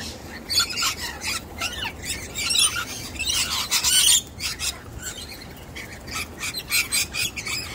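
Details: A young wild sulphur-crested cockatoo ignoring a nut-hiding trick gives short, harsh, scratchy high calls in irregular bursts, some close together, against a quiet outdoor background.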